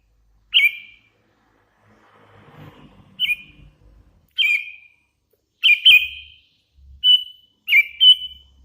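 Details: Hand-reared young sooty-headed bulbul giving loud, clear whistled chirps, each a short slurred note, repeated every second or so, with a faint low rumble of background noise early on.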